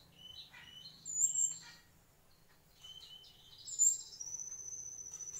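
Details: Mangrove whistler song: clear high whistled notes in short bursts, the louder ones about a second apart, then a long, sustained, slightly rising whistle near the end. A faint low hum sits underneath.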